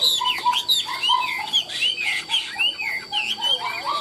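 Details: Chinese hwamei kept as a caged songbird, valued for its warbled, ornamented singing; bright, clear whistled notes sweep up and down in rapid varied phrases, with lower fluty notes between.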